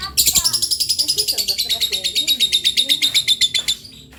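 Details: Lovebird chick learning to vocalise delivers a fast, steady rattle of high chirps, about four per second, for roughly three and a half seconds before fading.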